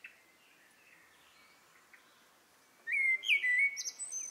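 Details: Eurasian blue tit at a nest in a ceramic head during feeding: faint thin high whistles, then a sudden loud burst of bright, rapid chattering and squeaky notes for over a second.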